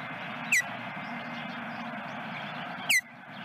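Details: Osprey on a nest at Dunrovin Ranch, 13 September 2022, mid-afternoon; two brief, loud, downward-slurred whistled chirps about two and a half seconds apart over a steady hiss of background noise.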